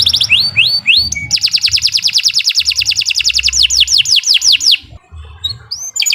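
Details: Canary song recorded as a lure to get pet birds singing, a long, energetic continuous singer: rising whistled sweeps, then a rapid buzzy trill of rapidly repeated notes for about three seconds, then falling slurred notes, over a faint low hum.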